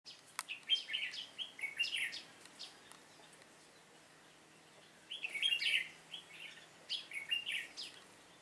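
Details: Red-whiskered bulbul used as a trapping decoy, recorded 7 September 2018: two bursts of bright, quick warbled phrases with short rising and falling whistles, separated by about two seconds of quiet.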